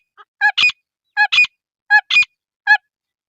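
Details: Female grey francolin calling: clean, harsh, nasal notes in a short pattern of a single note followed by a quick double note, repeated about every three-quarters of a second, four times, with no background sound.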